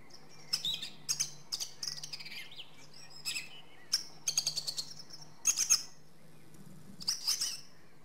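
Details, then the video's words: Song thrush (Turdus philomelos) in full song: loud, very high, rapid repeated note clusters, each phrase given two or three times, over a faint low hum. "Drozd zpěvný - The song thrush: Zpěv/Singing"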